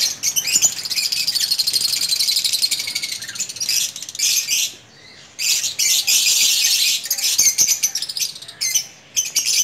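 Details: A breeding colony of caged lovebirds producing a continuous shrill, buzzy chatter of high chirps, broken by two short silences before the dense calling returns.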